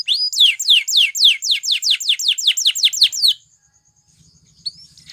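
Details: Belgian canary song for training other canaries: a string of about twelve loud downslurred whistles, evenly spaced, then a quiet stretch with a thin high tone and a soft chirp.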